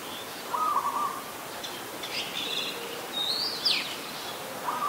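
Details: Red-whiskered bulbul, an adult, in Ubon Ratchathani, Thailand, 26 December 2020: short buzzy chattered notes at the start and end, separated by brief higher chirps and a sharp down-slurred note, over constant background hiss.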